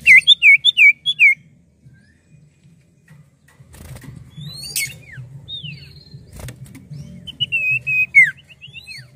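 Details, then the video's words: A common iora gives a quick run of five looping whistled notes, then scattered sharp slurred whistles and a final bright whistled phrase, over a low steady hum. "SIULAN M4UT CIPOH GACOR!!!"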